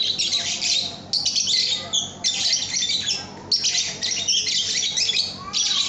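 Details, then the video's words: Young lovebird (paud) song used to train cage birds: rasping, buzzy high chattering in four long bursts of about a second each, separated by brief pauses, against a quiet background. "Masteran Kicau Burung Lovebird Paud AMPUH"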